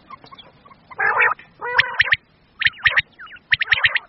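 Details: Common quail calls used for quail hunting in Pakistan, male and female: sharp repeated high notes in clusters with a harsher buzzy burst near one second and short curved whistles between.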